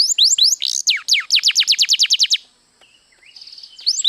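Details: White canary song with rising chirps followed by a fast run of about a dozen descending whistled sweeps, a short near-silent pause, a soft buzzy trill, then rising notes again.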